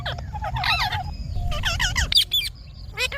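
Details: Indian ringneck parakeet, a pet talking parrot, with wavering nasal warbles, a couple of drawn-out whistles and sharp squeaks, set against a steady low rumble.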